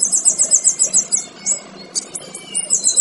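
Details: Male kinoy song kept for training other birds: a dense, very high buzzing trill, a pause with a few clipped high notes, then the trill starting again.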